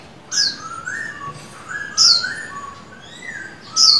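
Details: Silver-eared laughingthrush, a caged male in daily song training, giving quiet, soft whistled notes that rise and fall, mixed with brief sharp high chips at intervals of a second or more.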